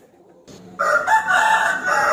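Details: Rooster crowing to provoke a rival into a fight: soft background at first, then a strong, harmonic crow starts sharply and carries steadily to the end.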